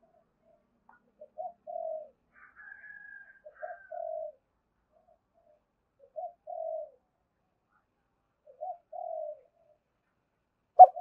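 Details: Spotted dove calling softly in a 'two-ending' style aimed at wild doves: faint short coos about every two and a half seconds, with a thin higher whistle early on and a sharp click at the end.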